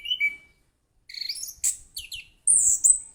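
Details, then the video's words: Orange-headed thrush with a sweet, lively song: a short whistle, a pause, then buzzy rising notes, quick chirps and a high sustained whistle that slurs downward. "Burung Anis Kembang Gacor, Suaranya Merdu"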